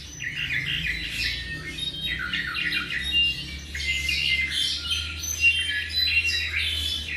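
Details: Roughly seven months old, a tropical mockingbird sings rapid series of squeaky chirps and harsh, squawk-like notes, several repeated in short bursts, mixed with rising slurred whistles; a low mechanical hum continues throughout.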